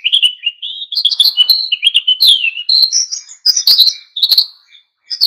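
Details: Oriental white-eye (pleci) in full lively song, aimed at provoking other birds to sing; long unbroken warble of high chirps, slurred whistles and twittering phrases, slightly rising and falling in pitch.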